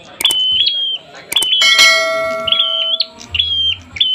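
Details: Agitated, fighting Prinia giving high flat whistled notes ending in quick upward flicks, repeated in bursts, with sharp clicks and a steady ringing tone partway through.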